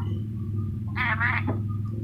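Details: Talking ornate lorikeet from Sulawesi makes a short, harsh, voice-like utterance of about half a second, set against a steady, loud low-pitched hum.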